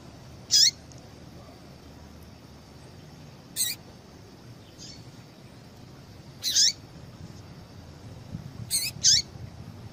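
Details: Female yellow-bellied seedeater calling to stimulate a male to sing: five short, high chip notes, each with a downward-sliding tail, spaced irregularly over about ten seconds against a quiet background hum.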